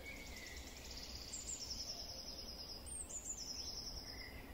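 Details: Wood warbler singing: two fast, high, shivering trills, each about a second long, rise out of quiet background hiss, with a faint lower whistle before and after.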